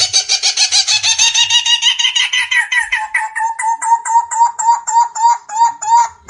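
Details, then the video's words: Barbet (Megalaimidae, Vietnamese Cu Rốc, Lô Cốt or Thầy Chùa) giving a steady run of hollow, mid-pitched notes, about three each second, with a harsher, buzzier edge at the start that fades as the series settles. "Tiếng chim Cu Rốc(chim Lô Cốt, chim Thầy Chùa) | The sound of birds Megalaimidae"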